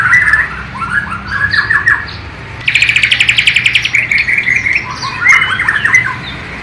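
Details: White-rumped shama from Borneo, East Kalimantan, with song imitating the sikatan londo flycatcher and nightingale, captured on a low-resolution camera. Quick series of slurred whistled notes, a fast buzzy rattle midway, then more tumbling whistles.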